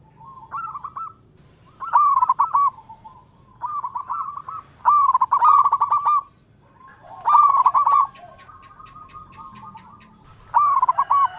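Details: Local zebra dove singing steadily, its melodious voice said to call in all directions: bursts of rapid bubbling, rolling coos about two seconds long, separated by short pauses, with one long stuttering trill near the end and a faint low hum beneath.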